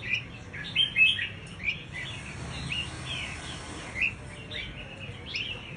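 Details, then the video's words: High, sharp chirps of a scarlet-backed flowerpecker lure call, in short bursts and single notes spaced irregularly, with a low steady hum beneath. "Suara Pancing Burung Cabean merah | Burung Cabai Merah | Sepah Puteri | Chirp of Birds"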